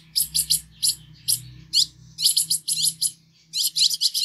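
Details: Steady stream of short, high, sibilant notes from a Green-headed tanager, some slurring downward, delivered in quick groups with brief gaps; low hum and soft rumble faintly underneath.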